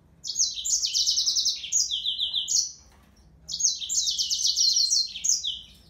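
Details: Yellow-fronted canary song in two loud bursts of rapid, high twittering phrases, trills and sweet slurred notes tumbling together, separated by a short silence near the middle; soft low background hum.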